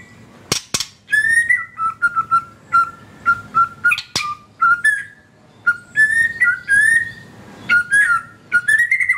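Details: White-rumped shama in a cage, kept as a song lure for birds that have stopped singing, delivering a run of clear whistled notes that alternate between two pitches, quick and repeated, over a soft low background hum.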